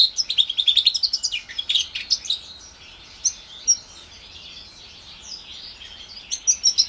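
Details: A roughly four-month-old 2021 hybrid of a house finch and an orange/brown Timbrado canary sings a fast run of bright, high twittering notes and chirps, pausing midway before a final burst.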